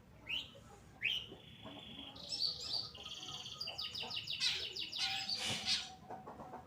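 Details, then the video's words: Long-tailed shrike of the Pastol type, singing vigorously, used as a tutor recording for training other songbirds. Varied whistled and buzzy phrases, some sliding and rising, with a drawn-out steady tone and rapid rattling bursts, fairly continuous throughout. "Burung Cendet Pastol Gacor Dor"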